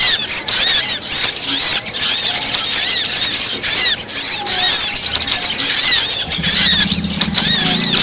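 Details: Continuous, crowded high chirping of brown-throated sunbird, meant to lure wild birds down, with a low droning hum joining near the end.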